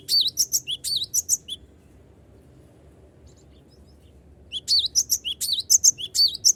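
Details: Cinereous tit singing actively to provoke rivals into answering, a lure recording: two bursts of fast, piercing, high chirps, each a short bent whistle, separated by about three seconds of quiet with a low background hum.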